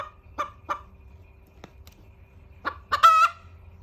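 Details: Hen giving a few soft, separate clucks, then a sudden loud, nasal, strongly harmonic call held for about a third of a second. Steady low background hum.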